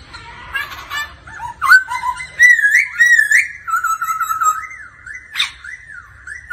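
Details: Laughingthrush song during daily practice beside a female giving ro ro calls: rapid soft chatter, then loud wavering whistled slurs and a run of evenly repeated up-and-down notes.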